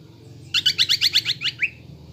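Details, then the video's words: Caged greater green leafbird's lure song for building fighting mentality: a short, loud, rapid chattering trill of about eight buzzy notes ending in a rising whistle. "PANCINGAN CUCAK IJO GACOR AGAR EMOSI UNTUK MEMBENTUK MENTAL FIGHTER"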